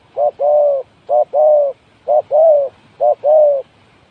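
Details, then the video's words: Spotted dove coos as a trapping decoy: four paired phrases, each a short soft hoot then a longer rolling croo, repeated about once a second, with nothing else heard. "The Sound Of Spotted Dove is good,Bẫy cu gáy bằng mồi trồn,เสียงนกเขาใหญ่,Suara Terkukur Pikat Tua"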